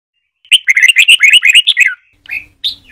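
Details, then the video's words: Red-whiskered bulbul singing in the Trà My style, a long song phrase used to train young white-cheeked birds to learn it: a fast burst of about a dozen bright, chirpy warbled notes, then two short separate whistles. "Luyện Chào Mào Hót Giọng Trà My Cực Hay"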